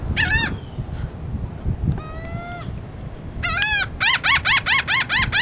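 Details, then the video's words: Laughing gull recorded 19 June 2018 gives nasal, drawn-out calls, then a quick run of about seven laughing 'ha' notes, each rising then falling, over a low wind or surf rumble. "Laughing Gull"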